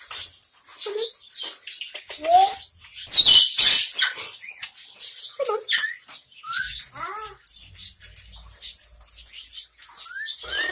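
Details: Hand-reared baby Amazon parrot, now starting to talk, produces a busy run of short squeaks, rising and falling whistled notes and chattering speech-like sounds, with a loud rasping burst near the middle and faint background noise.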